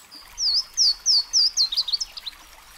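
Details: Song of a Louisiana waterthrush, a streamside bird: four ringing downslurred whistles repeated evenly, then a rapid, tumbling chatter of short notes that fades out.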